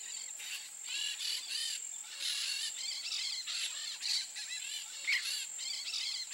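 Peach-fronted parakeets give harsh, grating screeches in quick overlapping bursts, over a steady high insect whine.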